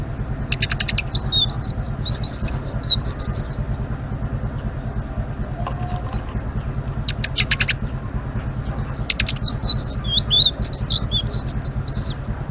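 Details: Blue-winged leafbird performing 'ngeriwik' chatter: two bursts of rapid high twisting whistles separated by a quiet gap with clicks, all over an unbroken low mechanical drone.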